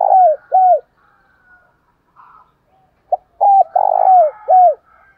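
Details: Spotted dove calls used by bird keepers to stir newly caught doves into answering: two falling coos, a pause with faint chirps, then a run of three more coos, one buzzy and drawn out.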